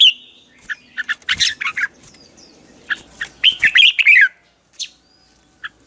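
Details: Red-whiskered bulbul, morning training song in the 'ché' style, used as a lure to stimulate other bulbuls. Quick chirps in uneven bursts rise to a tumbling slurred phrase, then thin out to a few single notes.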